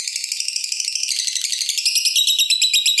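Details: Fighter lovebird in full voice with a long ngekek trill, used as a lure to get other lovebirds singing: a dense, rapid, high buzzing trill that runs without a break and grows louder and sharper toward the end.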